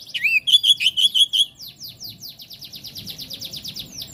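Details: Oriental magpie-robin singing: a burst of loud, clear whistled notes repeated quickly at first, then a long, rapid run of softer downward-sweeping notes, about six each second, with low background rumble.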